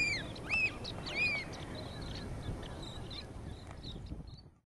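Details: A flock of five American Oystercatchers flying past on the Nonesuch River at Pine Point, near mudflats where they forage among peeps, giving three loud, piping wheep notes about half a second apart, then fainter high calls over surf or wind.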